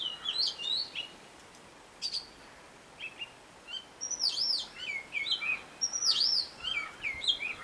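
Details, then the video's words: Mimicking robin singing another of its tunes: clusters of high whistled and warbled notes, some swooping down sharply, delivered in irregular bursts with short gaps between phrases. "ROBIN SONG 4"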